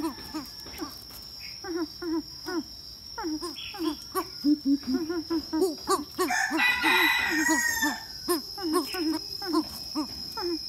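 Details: Greater coucal calling while attracted to a female: a rapid, uneven series of short, deep hooting notes, many overlapping. A steady high-pitched whine runs throughout, and a harsher, noisy burst rises midway.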